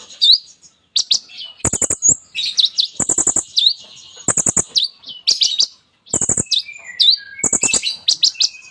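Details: Olive-backed Sunbird (kolibri ninja) in full mimicry-filled song, alternating clusters of hard rattling ticks with high sharp upswept whistled notes, then descending thin trills toward the end.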